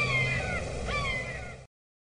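Two drawn-out, slightly downslurred cries from a red-shouldered hawk, about a second apart, over a steady low rumble.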